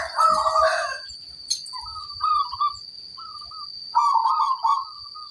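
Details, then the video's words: Local zebra dove singing with a big 'kung' voice: bubbly, rolling coos in short phrases, with a louder, fuller burst at the start and again near the end. A thin, steady high whine runs beneath throughout. "Perkutut lokal gacor, gayer suara kung besar"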